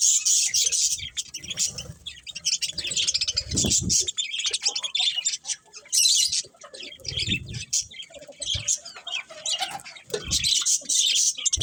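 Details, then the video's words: Several pet budgerigars chirping: dense, scratchy high warbling and rapid twittering runs almost throughout, with brief pauses and a few low thumps around four, seven and ten seconds. "Cute Budgies Chirping Sounds"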